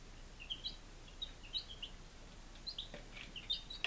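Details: Chicks five days old in Lunenburg, Massachusetts, July 2017, give scattered thin high peeps, often in quick pairs, against a steady hiss, with a few soft knocks.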